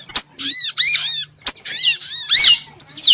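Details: Luring call of a female prinjak lumut (prinia): rich, bowed notes in close pairs and runs, punctuated by brief sharp clicks.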